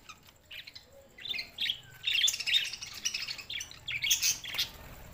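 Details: Budgerigars recorded June 7, 2024, start quietly, then break into a rising flurry of sharp chirps, squeaks and harsh little squawks that continue to the end.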